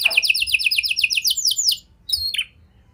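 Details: Canary singing with prinia and lovebird phrasing, meant to coax other canaries into song: a fast sequence of bright repeated notes ending in drawn-out swoops, a short silence, then a brief sliding call.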